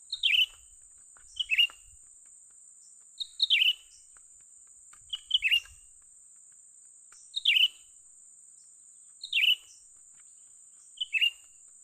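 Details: Young bulbul heard while trapping, short lively chirped phrases falling in pitch, given about every two seconds, seven times, against a persistent high-pitched hiss.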